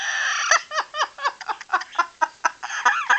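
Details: Pet yellow-naped amazon parrot laughing for the camera: a rapid run of about a dozen short, harsh, chuckling syllables, evenly spaced, each a quick falling note, rising into a final burst.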